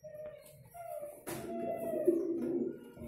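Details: A brief burst of pigeon courtship cooing builds after a sharp knock, rolling and low, with a thin whistle heard at the start.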